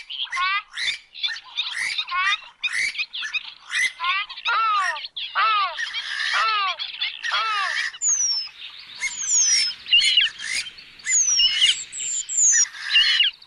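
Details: Oriental reed warbler singing: loud, harsh, rasping phrases of stacked, down-curving notes repeated in bursts, followed by a busier stretch with thin, high, whistled downslurs from other birds.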